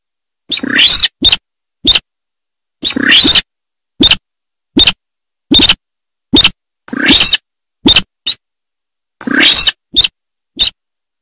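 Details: Sintar bird giving a series of harsh, scratchy screeches mixed with short sharp clicks, spaced irregularly over about eleven seconds. No other sounds are heard.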